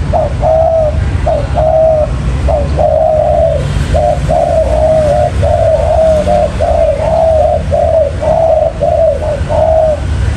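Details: Spotted dove calls used as a trapping lure: low, soft hollow coos repeated in a steady run of short phrases about every half second, over a constant loud background hiss and rumble.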